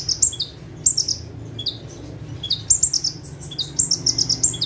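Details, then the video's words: Perched bar-winged prinia, called ciblek locally, singing vigorously from a single spot: fast sequences of thin, high squeaks and buzzy trills repeated in short runs, steady low hum behind. "KONIN GACOR FULL TEMBAKAN - CIBLEK / PRENJAK TEBU"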